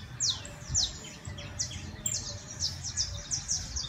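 A saffron finch sings a quick series of high, thin, downslurred chirps, about two per second, over a low rumble of background noise.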